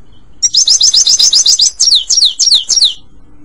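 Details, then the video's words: European goldfinch singing for training a pet bird: a fast, high twittering burst of about ten clipped notes, then several slower, drawn-out descending chirps, lasting around two and a half seconds. "Legendary Goldfinch Singing - HD sound - Best for training - صوت الحسون الاصلي"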